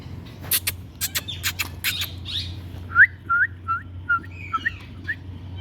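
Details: Talking rose-ringed parakeet: a run of sharp clicks and scratchy bursts, then a series of short upward-flicking whistled notes about every half second, over a faint low background hum.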